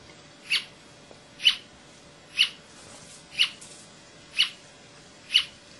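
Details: Brasilia tapaculo singing in Serra da Canastra, Minas Gerais, Brazil, on 28 June 2004. A lone bird delivers six short, sharp notes at an even pace of roughly one per second against faint background hiss.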